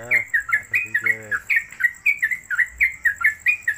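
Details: Trucuk (Sooty-headed Bulbul) in a cage, singing its fast 'ropelan' song. Crisp whistled notes rapidly repeated, with a man's voice briefly overlapping at the start.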